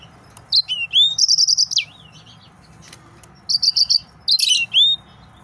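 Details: High whistled slurs lead into a quick run of trilled notes from an excited male yellow-fronted canary; after a pause a second phrase follows, ending on a rising whistle.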